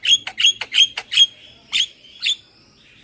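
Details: Javan myna lure call, styled 'super kenyih': a quick run of harsh, buzzy squawks with bright whistled overtones, five in the first 1.3 seconds, then three more spaced half a second apart over a quiet background.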